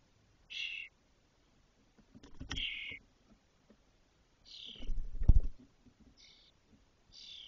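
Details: Spotless starling chicks in a cork oak nest, Doñana National Park, 2023, at fledging age; a few brief grating rasps separated by heavy thumping and bumping movements inside the nest.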